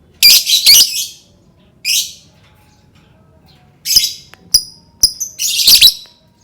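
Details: Lovebird song to provoke other lovebirds into singing: a pair of loud harsh screeches, a softer one, then a quick cluster of sharp chirps and squawks.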